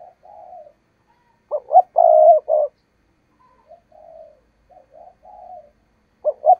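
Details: Spotted dove kept as a trapping decoy, cooing to provoke wild doves: quiet murmured coos, a loud abrupt cluster of short and long coos, more soft coos, then another pair of sharp loud notes.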